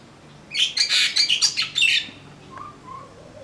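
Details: Common myna recorded at Vryheid, KwaZulu-Natal, South Africa, on 12 December 2007: a brief burst of harsh, chattering notes lasting about a second and a half, several rapid squawky syllables, followed by a couple of faint softer notes.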